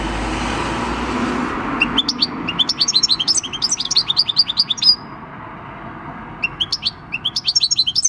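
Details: A six-year-old European goldfinch, caught wild, sings field-style song on 26 December 2019; after an opening wash of low rumbling noise, rapid sparkling twitters run on steadily, pause briefly, then resume.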